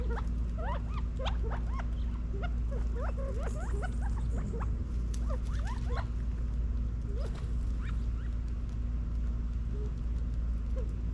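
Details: California quail feeding and running around in a back yard in Las Vegas, Nevada, in fall 2022: many short, soft chirps sweeping up and down, scattered and overlapping, over a steady low hum.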